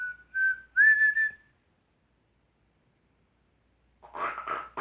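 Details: Pet African Grey parrot, a male, whistling his own original compositions: two clear, steady whistled notes, the second sliding slightly upward, then a long silence before a harsher, buzzy, broken burst of sound at the end.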